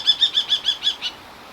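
A common kestrel gives a quick, shrill kee-kee-kee of seven high, sharp notes, about six per second, slowing a little at the end. Nothing else is heard.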